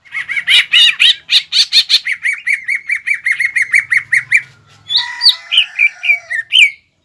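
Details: Green leafbird in full mimicking song, used to provoke another leafbird. A long run of rapid, even chirps gives way to varied whistled and slurred phrases near the end.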